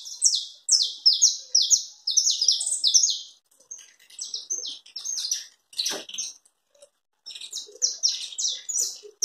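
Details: A canário-da-terra, the saffron finch, delivers its chapinha carretilha song: bursts of quick, high, downslurred whistled notes strung into rolling trills, with short pauses and one sharp click between phrases.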